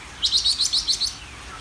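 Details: Greater green leafbird song, a quick run of about eight bright, high chirped notes in under a second, followed by a faint falling whistle.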